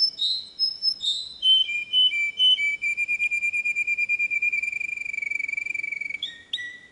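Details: Canary song for training young birds: high whistles descend into a long, rapidly pulsed whistled roll held at one pitch for several seconds, ending on a few lower and higher clear notes.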